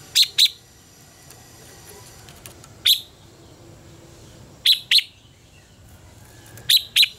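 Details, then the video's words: Red-whiskered bulbul contest song played to train birds and stimulate singing: sharp, clipped whistled notes, mostly in quick pairs, repeated roughly every two seconds over a soft hiss. "luyện giọng cho chào mào hót hay - căng lửa, chào mào hót quá phê"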